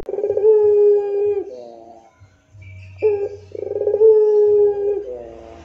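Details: Spotted dove (puter pelung), rintihan moaning style as tutor song: a throbbing rolled coo stretching into a long smooth tone, a short gap with low hum, then a further coo, roll and drawn-out note.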